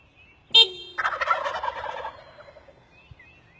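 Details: Turkeys perched up in trees: one sharp, ringing note, then a rapid, rattling gobble lasting about a second that breaks into quick pulses and fades, with a quiet background.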